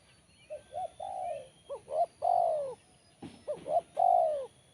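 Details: Spotted dove singing in a 'kuk 1' style with a crisp, sharp voice: phrases of two short clipped notes followed by a long, drawn, falling coo, repeated twice with a steady low background hum.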